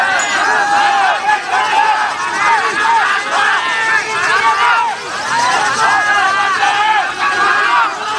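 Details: A lovebird competing at the Sweet Valentine Cup song contest in Yogyakarta on 16 February 2020 sings a long, rapid stream of high chirps and twitters over a murmuring crowd; it placed ninth.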